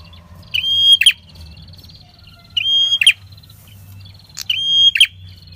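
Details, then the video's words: Prinia lure song, red-headed type, sung energetically: three steady whistles, each finished by a crackly double burst, about two seconds apart, with faint low chatter behind. "Pancingan PRENJAK KEPALA MERAH Gacor Ngalun"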